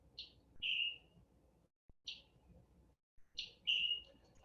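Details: A Scarlet Tanager in a Vermont forest gives its diagnostic chip-burr call twice, thought to be an alarm call: a sharp high chip, then a short, buzzy, slightly descending burr, about three seconds apart.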